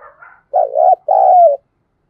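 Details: Thúc gù cooing from a spotted dove in the dim early morning. Soft higher notes come first, then a rough wavering low note and a long smooth coo that glides down at its close.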